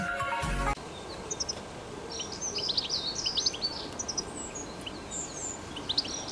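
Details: European goldfinch singing in nature, wild: after a brief burst of music, rapid high tinkling twitters and short chirps in scattered bursts over a steady background hiss.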